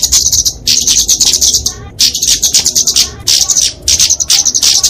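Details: Flowerpecker fighting song used as a tutor and lure for small birds: four or five dense bursts of piercing, rapid chittering, each about a second long, split by short silences.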